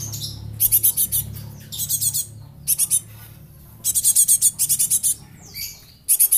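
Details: Young Java sparrow used as a lure bird, described as now rare and nearly extinct and suited for tutoring other birds; bursts of rapid, very high chipping notes in clusters of three to six, separated by short pauses, with a low background hum.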